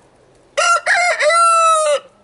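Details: A rooster gives a full, loud crow with short opening notes and a long drawn-out final note, showing dominance over a neighbouring rival rooster that is backing off and not answering.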